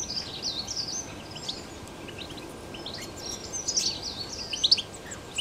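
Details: Free-living European goldfinch song, 2021: a busy stream of sharp tinkling notes and thin buzzy trills that grows louder and denser toward the end, with a steady outdoor hiss beneath.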